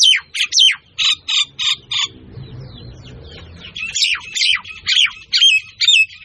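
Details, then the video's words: Myna giving loud, harsh chattering notes in quick bursts, a short run of squawks then a pause and another noisy stretch; a low hum underneath. "শালিকা চৰাই। #myna birds"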